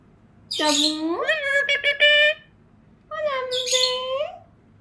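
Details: An Indian ringneck parakeet talks, saying "peekaboo", in two speech-like phrases about a second apart: a voiced, rising then level tone with a clipped burst in the first phrase.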